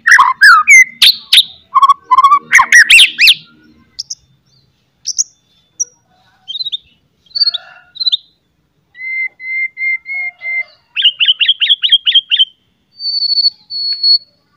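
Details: White-rumped shama giving sharp whistles and loud chattering to provoke other shamas into singing: harsh dense chatter opening, scattered whistles, a row of steady even notes, a rapid repeated trill, then a long high thin whistle.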